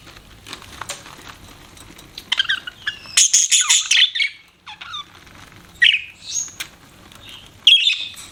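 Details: Budgies chirping with scattered single notes, a loud harsh squawking burst, then short sweeping chirps spaced apart.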